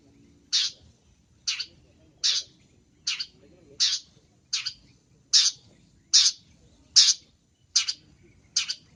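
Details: Long-tailed shrike, a cendet masteran training recording in full-isian gacor style: harsh, broadband rasping notes repeated roughly every 0.8 seconds, eleven in a row, with faint low background rumble.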